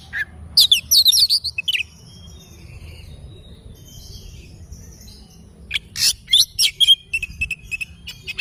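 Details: Oriental magpie-robin's morning song: an opening burst of rich warbled whistles, about four seconds of quiet, then renewed rapid chirps and repeated whistled notes.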